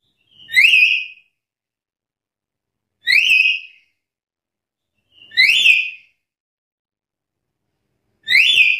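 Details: Black-capped lory challenging rivals: four loud upward-sweeping whistles with bright overtones, repeated every two to three seconds in a steady pattern, silence between them.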